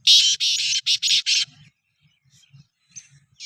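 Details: Black francolin (kala teetar) being readied for chakri in 2024: a fast series of six harsh, grating, broadband bursts crowded into about one and a half seconds, followed by quiet with faint scattered notes and a low background murmur.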